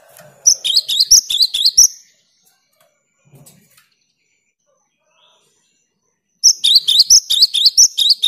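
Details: A cinereous tit in full song, meant to stimulate silent tits to sing. It gives a fast run of ringing, high, paired notes, then about four seconds of near silence, then another equally rapid repeated series.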